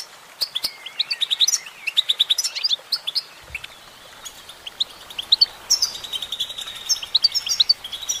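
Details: Continuous twittering song from a female goldfinch: rapid high chirps strung in short runs, with a clear sustained whistled line late in the phrase and brisk tinkling notes throughout.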